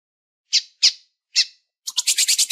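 A female lined seedeater gives three sharp, high chips, then a quick run of six thinner, rapid notes. No other sounds are heard.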